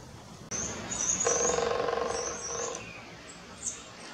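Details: A Northern flicker, seemingly calling and drumming to get another bird's attention, gives a rapid drum roll of about a second and a half, with thin high chirps above and traffic hum underneath.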